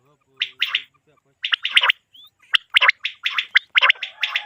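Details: Quail call played at night as a hunting lure: rough, gargled bursts in quick clusters about once a second, after a brief low hum at the start.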